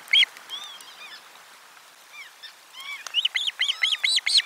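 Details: Fish delivery at lunchtime, osprey nest 4, 12 July 2022. One loud chirp, then soft drawn-out whistles, building into a rapid sequence of bright arched calls over the final second and a half.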